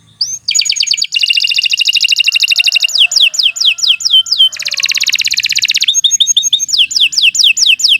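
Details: Canary singing a long, loud song of fast buzzy trills alternating with series of sharp descending whistled notes, repeated in quick succession; bright, high-pitched and continuous throughout.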